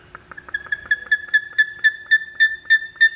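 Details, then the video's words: Male buff-crested bustard in the McNeil Avian Center bird house, Philadelphia Zoo, on 20 June 2014, gives a loud, piercing territorial call: a fast series of whistled notes, three or four a second, building in strength, over a low hum. "Buff Crested Bustard Call"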